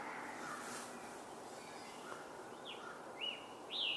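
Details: On a 27 May 2023 birding walk, a Northern Cardinal sings a few clear, slurred whistles near the end, rising in loudness, while a gray catbird and American crows also call, over steady outdoor background hiss.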